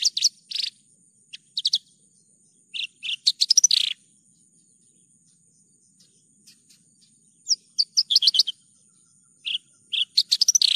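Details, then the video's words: Javan bush lark singing vigorously: scattered clusters of sharp, high chirps and short rattling trills, broken by gaps of near silence, over a thin steady high-pitched tone. "PANCINGAN/MASTERAN JERNIH BRANJANGAN GACOR...."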